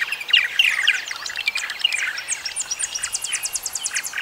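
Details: Purple martin singing: crackly, gurgling warbles and sharp downslurred chirps early on, giving way to evenly spaced clicking twitters repeated several times a second, with a soft hiss behind.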